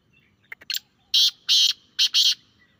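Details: Teetar, the grey francolin, in a loud call played to draw a response from a kept bird: a few short clicky notes leading into four strident, grating notes in a rhythmic phrase.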